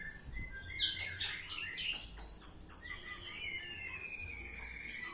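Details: Oriental magpie-robin (kacer) ngeplong song, fairly soft: a run of quick high chirps followed by a long, slowly falling whistle, with low rumbling noise underneath.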